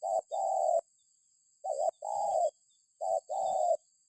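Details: Low mellow cooing of a spotted dove, a lure recording meant to set other birds calling; three phrases, each a brief note then a drawn-out coo, spaced about 1.5 seconds apart, faint steady whine in background.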